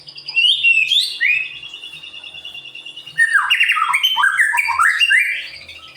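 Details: Singing white-rumped shama, a caged songbird kept to provoke other birds into singing: a long steady whistle near the start, then rapid varied phrases of slurred, swooping notes with fast trills, loud and continuous.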